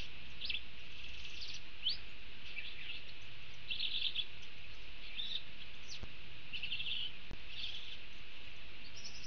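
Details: A male Thick-billed Euphonia (Euphonia laniirostris) sings at a Panama fruit feeder on 2 October 2019. It gives an extended, rambling song of original and mimicked notes: high chirps, scratchy warbles and short buzzy bursts over a low background rumble.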